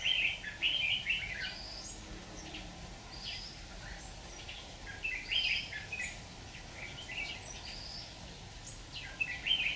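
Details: Red-whiskered bulbul serving as a trapping decoy, 26 October 2019: brief liquid warbled phrases repeated every few seconds, separated by quiet gaps with faint high notes and steady low background noise.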